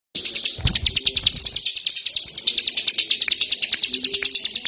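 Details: Tame ciblek gunung prinia singing continuously outside its cage in the ngebren style: a rapid, buzzy string of high chirping notes, about three per second, running without pause, with soft low cooing in the background.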